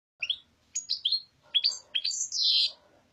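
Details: European goldfinch singing the παπαδιά (papadia) song style: a brief string of bright, high twittering notes in short bursts, ending in a longer buzzy trill.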